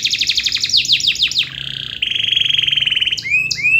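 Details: Canary in full 'gacor' song, meant to spur silent canaries into singing: quick descending slurs, a short buzzy pause, then a steady rapid trill and two rising whistled notes.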